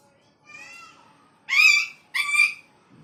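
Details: Parrot talking and doing funny dog-like sounds: a soft drawn-out harmonic note, then two loud, rich, nasal syllables in quick succession, with a quiet room behind.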